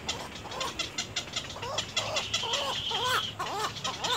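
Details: Nestling little egrets jabbing at their mother; lower wavering, quavering calls about once a second, some doubled, with a thin high whine and background hiss.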